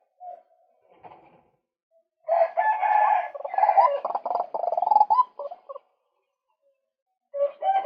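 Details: Calls of a male white-breasted waterhen used as a lure: a few faint notes, then a long loud raucous bout of harsh, pulsing croaks, then silence before another call begins.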